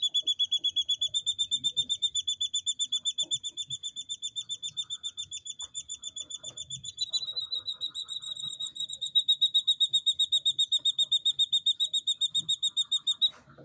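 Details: Three captive jungle bush quail chicks, two days old, kept in the UK, giving high thin whistled peeps repeated very evenly about four times per second, the pitch stepping slightly higher midway; faint soft knocks below.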